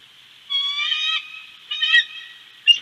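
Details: Bald eagle at Big Bear giving two drawn-out squealing, harmonic calls and a sharp final chip, with continuous high-pitched background hiss.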